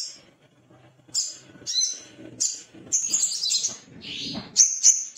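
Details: Male Little spiderhunter, described as excited and seeking a rival. After a quiet start, a series of shrill high chips and short buzzy notes, roughly three or four a second, ends with two crisp piercing chits.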